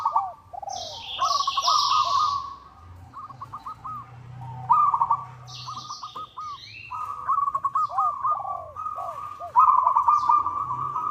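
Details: Local zebra dove challenging a rival, used as a lure: repeated bouts of vibrating trill broken into quick hooked notes, lower arched coos from another dove underneath, and bursts of high chirping from other birds.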